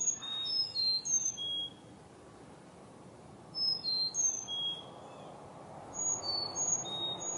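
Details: Backyard chickadees in autumn 2021, among colorful trees, give clusters of very high, clean whistles that fall in pitch note by note, sung in short groups separated by pauses of a second or more.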